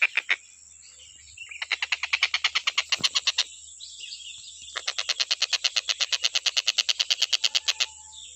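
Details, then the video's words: Stork-billed kingfisher in unbroken singing for bird training: two long runs of rasping, cackling notes, each at roughly three per second and gradually strengthening, separated by a short quiet spell, with a faint continuous high whine. "TENGKEK BUTO KHUSUS BUAT MASTERAN,FULL KICAU GA ADA BERHENTI NYA"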